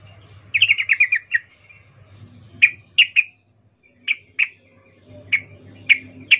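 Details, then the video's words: Sooty-headed bulbul, a female calling to a male with an arousal call: a short rapid run of chipping notes, then single sharp clipped notes scattered every half to one second, with a low steady hum beneath. "Trucuk BETINA memanggil Jantan Suara Birahi Ngecuplik"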